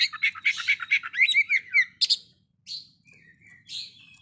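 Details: An Oriental magpie-robin taunts a rival with a quick series of rhythmic, scratchy chattering notes and rippling slurs, then a sharp burst and a few thin descending whistles.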